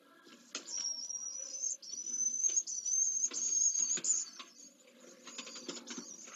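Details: Pallid swift at Jerez de la Frontera, Spain, on 15 September 2022, an only chick being fed and exercising its wings; high thin buzzy trills held steady for about a second each, with rustling and scratching.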